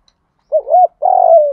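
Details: Spotted dove cooing in a training and lure recording for cage birds: a short two-part coo followed by a longer, steady, slightly falling hooted note, low and mellow, in an otherwise quiet setting.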